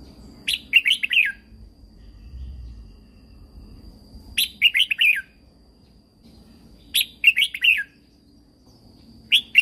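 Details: Caged-bird training song of a red-whiskered bulbul from Thailand: the same lively, chattering phrase of sharp chirps repeats about every two and a half seconds, with a faint constant high tone behind.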